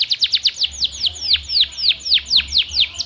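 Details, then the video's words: A lively canary, used to prompt silent canaries to sing, delivers about a dozen bright downward-curving whistled notes in quick succession, roughly four per second. "KENARI GACOR Terbukti Cocok Untuk Pancingan Kenari Susah Bunyi"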